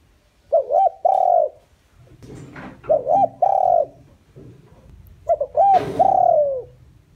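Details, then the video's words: Lure spotted dove calling to attract wild doves. Three repeated phrases about two and a half seconds apart, each with two short notes and then a long soft coo that slides down at the end. Light rustling and clicks sit between phrases. "chim cu gáy mồi chuẩn gáy gọi kích bổi nhanh nổi hiệu quả"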